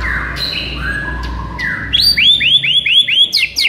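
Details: Song of a white-rumped shama, played to stir a sluggish bird into aggression: long flat whistles stepping downward, followed by a quick series of about six bright, down-slurred notes repeated roughly every third of a second.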